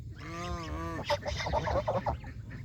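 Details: Farm geese, adults and goslings, fed fresh grass by a countryside pond; a drawn-out nasal call with a slight dip in pitch, then a quick run of short chattering honks over a steady low rumble.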